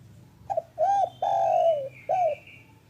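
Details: One phrase from a local spotted dove in the afternoon, used to prompt silent doves: a quick note, a rounded coo, a long falling coo and an arched final note. A thin high whistle sounds faintly behind it.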